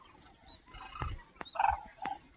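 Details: Red-crowned crane with its family in Cheorwon, Gangwon-do, gives a few short, harsh honking calls in quick succession over a faint background hiss.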